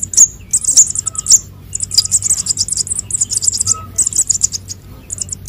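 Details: Sunbird chicks, konin and sogon, used as lure calls: a nearly unbroken stream of very high, thin chirps and twitters with a few sharp downslurred notes standing out.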